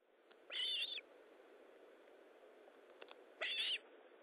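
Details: An osprey at its nest during feeding on 19 July 2012 at 9:43 gives two shrill, slightly wavering whistled squeals about three seconds apart, each lasting half a second, over a steady background hiss.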